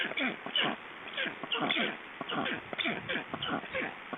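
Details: Black storks in Estonia handled during ringing on 29 June 2012: rapid rasping, wheezy bursts in quick irregular clusters, each a short broad sweep, with pauses between groups.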